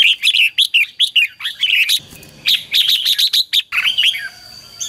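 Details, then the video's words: Red-whiskered bulbul competitive song for training and exciting decoy birds: quick bursts of bright, bubbly, warbled notes in fast rhythmic phrases, separated by a short gap, with a faint background hiss. "CHÀO MÀO HÓT GỌI BỔI CHÉ CĂNG ĐÉT QUÁ HAY - KÍCH CHIM NHANH CĂNG LỬA"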